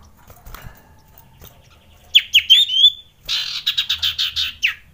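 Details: Mating call of a male sirtu, or Common Iora, meant to provoke lazy birds: a run of sharp rising chips sliding into a level whistle, followed by about ten rapid buzzy notes that end in a falling slur.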